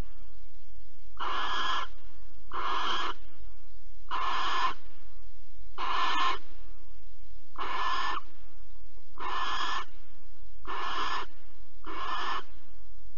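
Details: Recorded 15 April 2020 at Alphen, a barn owl around a mouse delivery and mating gives a long series of eight wheezy, noisy screeches, each short and harsh, repeated about every 1.5 seconds, with faint low rumble beneath.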